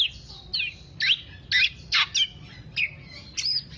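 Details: Black-naped oriole singing in the 'teler' style, a recording meant as a lure or master track for songbird keepers; sharp, high chirped notes in short bursts about every half second over a faint low hum.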